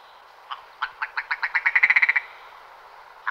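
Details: Willow ptarmigan calling: a series of about fourteen harsh, croaking notes that speed up and grow louder into a quick rattle, then stop, with one last isolated note after a pause.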